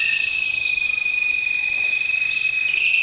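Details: Red mosaic canary, milky white with orange wing stripes, singing fast rattling trills high in pitch over a steady, unbroken high whistle-like tone.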